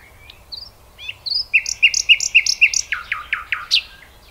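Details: A common nightingale's song phrase. Thin rising whistles give way to a row of about five evenly spaced pure notes, then a quick descending series of throbbing repeated notes.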